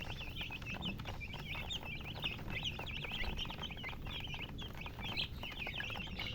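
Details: Hen chirping in quick, squeaky, rising and falling notes, many calls in rapid succession running throughout, with a steady low rumbling background.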